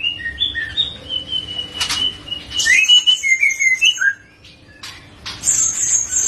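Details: Young Medan white-rumped shama, still a juvenile yet already singing loudly and fluently: clear whistled notes that rise and fall between mid and high pitch, with a sequence of quick slurred phrases, a brief pause, then high thin trills.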